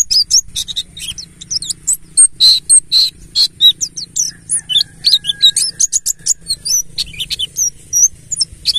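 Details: Lure recording of a Buxtoni Ngalas mountain white-eye meant to get birds singing: an unbroken stream of quick, very high chirps and twitters with sharp up-and-down slurs, lively and continuous, over a soft low hum.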